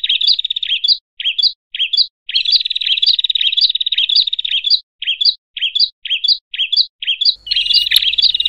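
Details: Bar-winged prinia giving loud, rapid, scratchy chirping bursts, about two per second, with brief gaps between runs; a noisy call said to stir up other prinias; a low rumble joins near the end.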